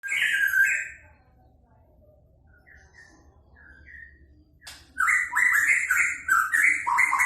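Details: White-rumped shama singing: a loud rich warble, a pause with soft scattered whistles, then a burst of rapid, varied, fluty phrases and high bright notes.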